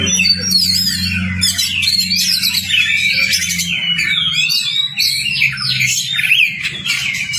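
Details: Lure recording of Oriental magpie-robin song meant to prompt a silent caged bird to sing: busy run of looping whistles, quick upward slurs and scratchy chatter, nearly nonstop, with a low droning hum underneath for the first half.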